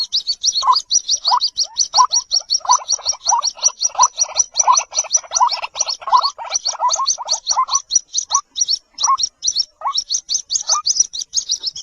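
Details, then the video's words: White-breasted waterhen chick, locally called jal murgi, giving a dense, rapid run of short chirping notes. Each note pairs a low squeaky part with a high, thin upper part, and the notes run on almost without pause. "White breasted Waterhen Baby ki awaaz | Jal Murgi call"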